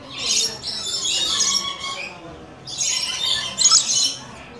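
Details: Harsh, grating squawks from coconut lorikeets come in two long noisy bursts separated by a short lull, as the parrots gather to visit.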